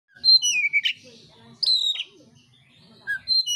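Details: Oriental magpie-robin of the mintal type in fighting mode, showing off rough fill phrases: two loud, high whistled phrases sliding downward, separated by a quiet pause, then a shorter whistle and a faint low murmur beneath.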